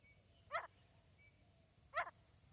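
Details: Female grey francolin calling: two short, harsh, rasping notes about one and a half seconds apart, each a brief stacked burst, over a quiet background with a faint high hiss.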